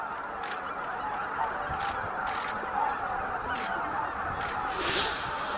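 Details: Thousands of greater white-fronted geese, an estimated 15,000, settling into the roost at Miyajima-numa, Bibai, Hokkaido, on the evening of 11 April 2016. Constant chatter of high honks from the flock, punctuated by short rushing noise bursts.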